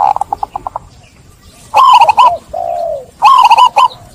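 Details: Lure call of a zebra dove meant to get stressed, silent doves cooing again: a string of short clipped notes, then two rapid rippling coo phrases separated by a soft falling purr.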